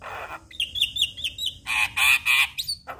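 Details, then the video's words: Song of a Javan myna used to set other mynas singing: a hoarse opening, several whistled slurs, then three loud harsh buzzy notes and a final thin whistle. "Semua Burung Jalak Langsung Buka Suara Dengar Kicauan Jalak Kebo Ini"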